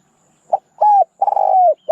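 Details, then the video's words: Spotted dove song phrase: a brief introductory note, a smooth coo, then a long burry coo with a pulsing start that falls slightly in pitch, and the start of another note cut off at the end. "ສຽງນົກເຂົ້າໃຊ້ຕໍ່ (นกเขาใหญ่)"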